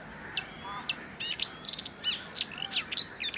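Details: Marsh warbler (Acrocephalus palustris) singing at Het Vinne, Zoutleeuw, Belgium, in May 2024: a rapid, varied run of high chirps, trills and buzzy notes, quickly switching between phrases.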